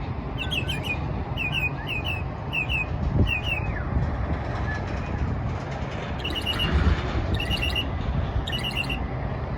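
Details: A mockingbird at the Margaret Hunt Hill Bridge gives bright, sharp chirps in quick runs of three to five, pausing between bursts, over a steady low rumble of traffic.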